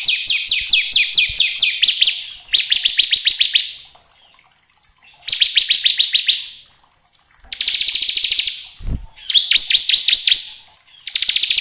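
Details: Lively bar-winged prinia, kristal type, singing as lure material to stir other prinias: repeated bursts of very fast, high rattling trills, each about a second long, with a brief low thump midway.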